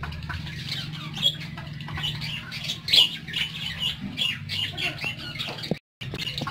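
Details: Pet parakeets giving scratchy squawks and chirps in bursts, with a steady low electrical hum underneath and a brief dropout near the end.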